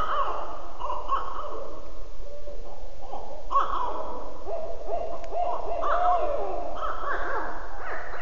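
Barred Owl giving its rhythmic 'who cooks for you' hoots, with deep overlapping notes and drawn-out wailing ends, over a steady background hiss.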